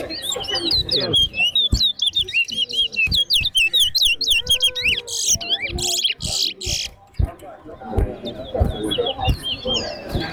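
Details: Caged towa-towa singing in a competition at a center ground: rapid, dense run of high twittering and warbled whistles with sharp clicks, notes tumbling quickly through much of the clip, faint voices underneath.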